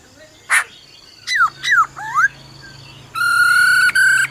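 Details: Black-throated laughingthrush performing forest song, the female trilling alongside: a sharp click, then three quick looping slurred whistles, then a loud sustained harmonic-rich whistle with short breaks, over a low hum.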